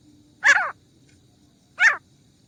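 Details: Grey francolin (teetar) hunting sound: two harsh, rasping notes about a second and a half apart, each a short descending burst, over a quiet background.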